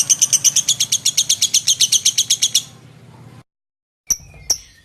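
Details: Lovebird in full chattering song, recorded as tutor material for magpie-robins: a fast, even run of harsh, high chirps, about seven per second for two and a half seconds, then silence and two lone sharp notes.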